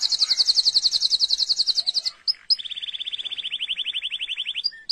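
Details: Canary singing: a fast trill of high rapid notes for two seconds, then brief chips and a lower, steady rolling trill repeated at a quick even pace, ending in short high notes.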